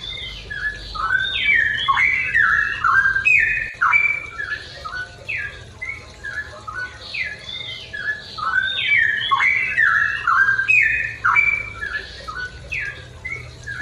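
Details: A straw-headed bulbul sings in the morning: loud, rich, bubbling whistled phrases that tumble up and down, in bursts roughly every few seconds, with a faint low hum behind.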